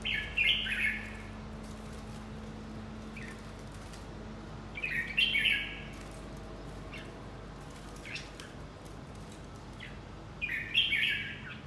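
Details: Red-whiskered bulbul in fight training gives short, bright warbled bursts about every five seconds, three of them, with faint ticking and rustling in between.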